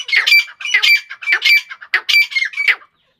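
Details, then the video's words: Loud, harsh squawking phrases from an Iranian female grey francolin, about six rasping, ringing bursts in under three seconds, then silence. "Irani Madi ke Awaz. ایرانی مادی کی آواز تیتر کی آواز"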